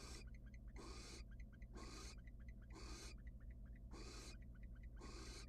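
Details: Inside a nest box of wild barn owls, the female rejecting a male who arrived without food: loud breathy hissing shrieks, each under half a second, repeated roughly once a second with soft ticking in the gaps.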